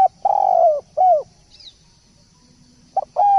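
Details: Spotted dove song used as a tutor recording: smooth mid-pitched coos, each slightly falling, given in short groups with a long pause, over a faint steady high hiss.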